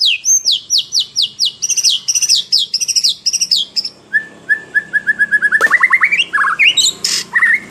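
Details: White-rumped shama singing energetically: a fast run of high whistled notes, each dropping sharply, repeated several times a second. It shifts into a rising series of quick chirps and ends with varied whistles and a brief harsh burst.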